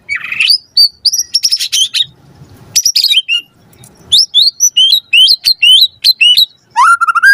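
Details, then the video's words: Loud white-rumped shama song used as a lure: a rising slurred whistle, harsh buzzy bursts, then a rhythmic string of sharp upslurred notes, closing with a lower whistle. "Pancingan Murai Batu Gacor Cepat RESPON Langsung NYAUT Jadikan Suara Burung Murai Gacor Full Isian"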